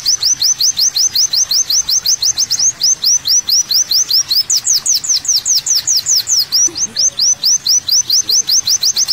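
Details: Masteran recording of an olive-backed sunbird delivering a long series of sharp, high chirps, about two or three per second, with a brief burst of arched whistled notes in the middle.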